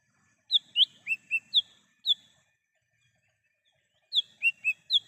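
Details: Song of a lesser green leafbird in the wild, for luring and calling: a run of six sharp whistled notes, some slurred downward, then silence and a second run of four notes.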